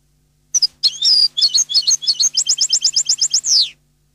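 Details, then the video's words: Neapolitan-style goldfinch song: a rapid string of bright, high, tinkling double notes, speeding into an even trill of about twelve notes and ending in a long, falling, buzzy slur. "canto cardellino CD Napoletano jilguero canto"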